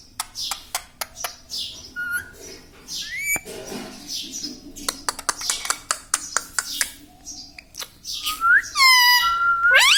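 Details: Pet parrot indoors, said to talk words like mummy and papa; scattered clicks and short noisy bursts, then a run of loud, rising and falling harmonic squawky syllables near the end.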